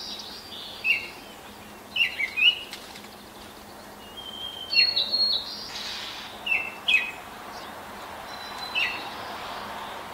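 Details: Baltimore oriole greeting the rising sun on 10 May 2024 at 5:40 a.m. in an apple tree next door; scattered whistled notes and short rich phrases, some paired, spaced over the clip with a soft hissing background.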